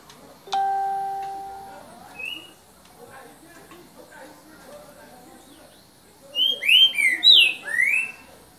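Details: Green-winged saltator, "boca mole" song, recorded 3 January 2019 in the evening: a brief electronic beep and low murmur, then a loud burst of five slurred whistled notes near the end.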